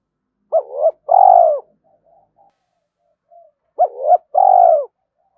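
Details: At first light a spotted dove coos to incite fighting and lure others; two low phrases about three seconds apart, each a double rising note then a long, gently falling coo, otherwise quiet.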